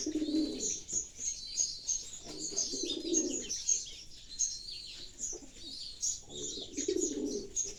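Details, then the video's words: Pigeons cooing in low, throaty bursts of about a second, three times, at the start, near three seconds and near seven seconds, while sparrows keep up busy high chirping throughout. "the sounds of pigeons"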